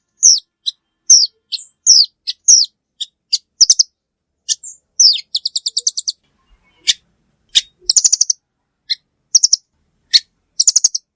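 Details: Velvet-fronted nuthatch giving a varied series: scattered single down-slurred high notes, a fast even trill of chips midway, then clustered sharp chip bursts toward the end; quiet background.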